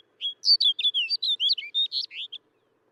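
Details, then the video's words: Snow bunting song: a brief, rapid run of a dozen bright, warbling and twittering notes, rising and falling, lasting about two seconds against a quiet background. "SOUND OF A SNOW BUNTING"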